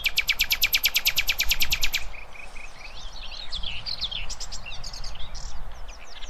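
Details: Nightingale singing to tutor young goldfinches and hybrids: a fast, even rattle of about twenty notes lasting two seconds, then varied twittering, over steady low background noise.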